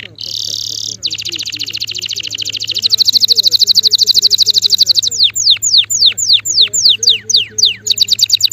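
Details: Male canary delivers a long rapid trill of high notes, sustained and accelerating, followed by loud downward-slurred whistles repeated about twice a second and a final trill; steady low hum behind.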